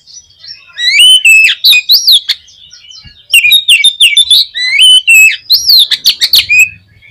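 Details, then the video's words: Oriental magpie-robin song played to provoke a pet bird into singing: loud, varied whistled phrases with rising and falling notes and rapid sharp chips, in two bursts separated by a brief pause. "KACER KURANG EMOSI ?? PUTAR SUARA INI DI JAMIIN KACER KALIAN AUTO BONGKAR ISIAN"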